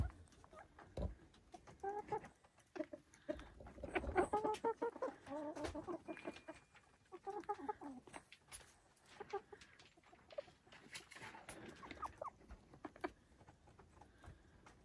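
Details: Silkie chickens on a small homestead farm in the Vermont hills give soft, harmonic clucks and murmuring notes in loose bursts, busiest around the middle, with quieter scattered clucks and light rustling between them.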